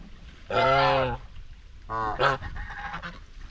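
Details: Domestic White Chinese geese on a homestead farm, grazing and chatting socially; two loud, harmonic nasal honks, the first lasting about half a second, the second shorter and broken, with soft ground noise between.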